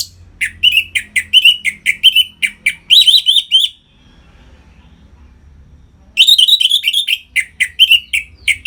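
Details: Orange-headed thrush, captive, singing to stimulate other birds; long strings of fast, repeated whistled and chattering notes, a two-second silence, then a second vigorous run of similar phrases.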